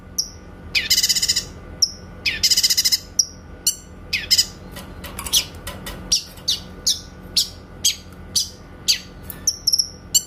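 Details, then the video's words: Grey-cheeked bulbul (cucak kinoy) giving its clear 'tembakan' burst song, used as a master recording for training songbirds: harsh, buzzy rattling bursts early on, then sharp high clipped notes repeated about every half second, with a few short high whistles. "MASTERAN BURUNG CUCAK KINOY SUARA TEMBAKAN JERNIH"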